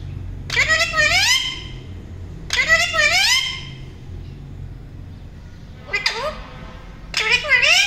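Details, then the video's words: A pet rose-ringed (ringneck) parakeet talking indoors: four short, bright, child-like spoken phrases with rising and falling pitch, spaced a couple of seconds apart, over a low indoor hum. "Parrot talk everything | Ringneck parrots Talking Video"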